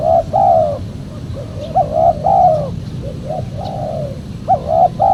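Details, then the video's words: Lure recording of a spotted dove for calling in wild birds: repeated soft hooting coos, a quick upward note followed by a drawn-out descending coo, recurring in pairs over a low background rumble. "PEMANGGIL BURUNG TEKUKUR SUPER JERNIH"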